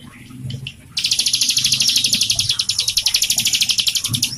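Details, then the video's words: Prinia, identified as a mountain prinia (ciblek gunung), sings a fast, high, buzzy trill of rapidly repeated notes, about ten a second, starting sharply after a quiet moment and running without pause; used to train or stimulate other caged birds. "masteran cigun gacor"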